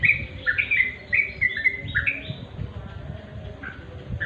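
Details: Sooty-headed bulbul, natural song: a series of short, bubbly whistled phrases repeated in a loose rhythm over the first two and a half seconds, then softer scattered notes, with a background murmur.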